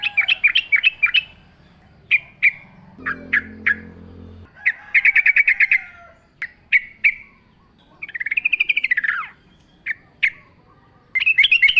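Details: Wild forest-style singing of a yellow-vented bulbul over natural background: quick bubbly note runs, isolated sharp chips, a swooping slurred phrase that rises then falls, and a faint low hum at times.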